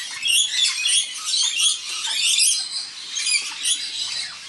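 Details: Wild rainbow lorikeets, adults with an immature bird, gathered for a dinner party. Dense, continuous high screeching and chattering from many birds, harsh overlapping squawks rising and falling in loudness.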